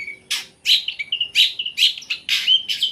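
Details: A captive long-tailed shrike alternates clear level whistles with loud harsh rasping bursts in a quick varied phrase.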